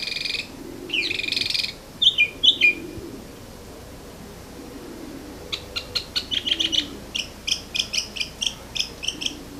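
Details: Morning bird song: a few scratchy high notes and two sharp chirps, a pause, then a quick run of short, evenly spaced high chips and twittery notes, over faint low background murmur.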